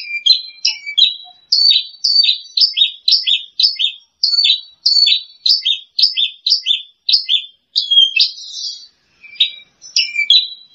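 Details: Branjangan lark song from a second-place champion: a long chain of quick, scratchy chirped notes in clusters, ending with a buzzy trill and a few separated chirps.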